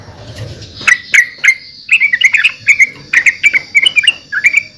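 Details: Yellow-vented bulbul uttering a steady series of short, bright, warbling notes in small groups, with a faint high hiss in the background.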